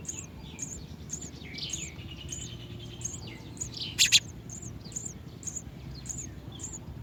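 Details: Young house sparrow at its nest giving a regular series of very high, short chirps roughly every half second, plus softer, lower twittering and two sharp clicks midway over a faint low hum.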